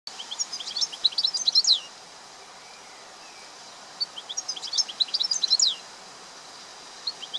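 European goldfinch singing two bright, tinkling bursts of quick, liquid twitters and trills, each under two seconds long, with a soft steady background hiss.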